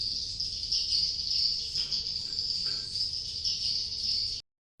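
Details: Swiftlet sound played to draw swiftlets into building nests: an unbroken shrill twittering chatter, rippling and steady, ending abruptly in silence.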